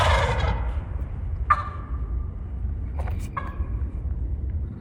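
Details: Wild turkey gobblers in Minnesota woods on opening morning of the turkey hunt, 16 April 2025: a loud rush, a sharp falling gobble note and two quick rattling bursts over a steady low wind rumble.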